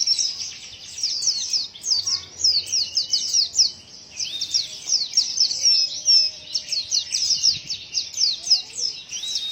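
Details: Continuous rapid twitter from a white-eye, described as a strange sound: high, thin chirps and slurred whistles tumbling quickly in long bursts with brief pauses, every note high-pitched, over quiet low rumble.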